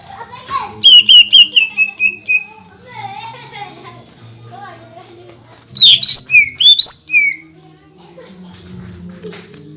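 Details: Greater green leafbird singing to provoke rivals: a rapid string of whistled notes, then softer mixed warbles, then another burst of high, twisting whistles. Faint low hum and background sounds throughout.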